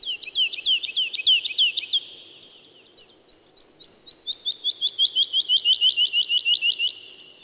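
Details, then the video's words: Woodlark singing two phrases: a loud run of about a dozen rapid liquid notes, a short gap with a few isolated notes, then a long, very even trill of about twenty fast repeated notes. "Как поет лесной Жаворонок"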